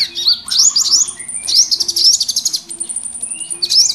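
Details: Mixed small birds calling noisily in the wild, used to attract birds for trapping; sharp rising chirps in quick bursts alternate with long, even high whistles.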